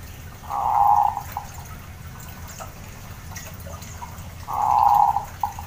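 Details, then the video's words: Zebra dove call, used to prompt a dove reluctant to sing, gives two soft, purring mid-pitched coos about four seconds apart, each trailed by short clipped notes, over faint hiss. "PANGGILAN PERKUTUT MALAS BUNYI DAN KEROT PERKUTUT"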